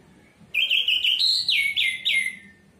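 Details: Song of an orange-headed thrush kept in a cage: a rapid burst of loud clear whistles with rising and falling slurs, ending in three downward-sliding notes.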